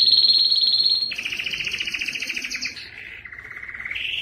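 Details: Powerful canary song for stimulating males: a very high fast trill drops into a lower, harsh rolled trill, then stepping downward through softer tours before rising at the end.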